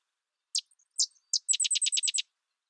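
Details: Sedge wren giving three sharp, high introductory chips followed by a quick, dry rattle of about eight clipped notes, bright and insect-like, with no other sounds audible.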